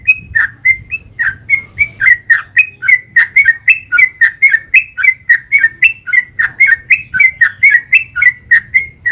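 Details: Long rapid 'ropel' song of a sooty-headed bulbul, known locally as trucukan, played to provoke other birds into singing back: steady stream of clear whistled and slurred notes, nearly two per second, with faint low hum underneath.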